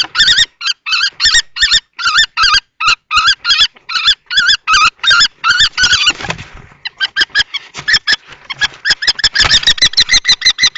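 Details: Two male common kestrels, one young and one adult, fight for possession of a nest box in Théding, France, 20 March 2024. A rapid chain of shrill, wavering notes speeds into a dense, frantic chatter near the end.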